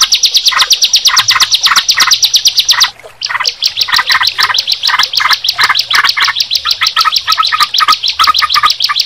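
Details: Bar-winged prinia and yellow-vented bulbul singing together: rapid, buzzy, high repeated notes over lower chirpy phrases, a brief pause near three seconds, then the fast pulsing resumes.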